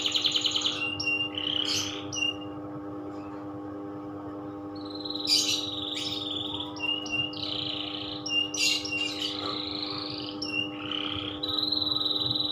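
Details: Canary in loper style delivering separate bursts of chirps, buzzy notes and short trills with pauses between phrases, accompanied by a steady low hum.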